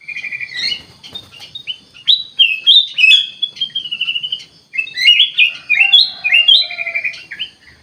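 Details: Kutilang emas bulbul in full gacor song, a near-continuous run of clear whistled and warbled notes, some stepping up and down, others in fast chirpy clusters, with one lower drawn-out whistle near the end.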